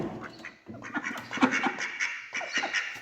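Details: Feeding ducks, male and female together, make low, gabbling quacks that overlap with scratchy rustling as they eat.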